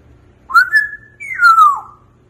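An African grey parrot gives two clear whistled notes: a rising then level one, followed by a long falling one. Otherwise quiet indoors.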